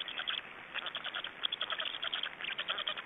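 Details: Black storks feeding at an Estonian nest on 26 May 2012, giving fast, scratchy pulsed notes that come in short uneven bursts several times a second.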